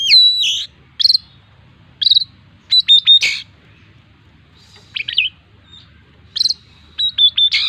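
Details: Lively full song of an Oriental magpie-robin kept as a songbird, in bursts about a second apart: clear high whistled notes, quick rapid trills and repeated sharp chips, with short pauses between phrases and a faint low hum underneath.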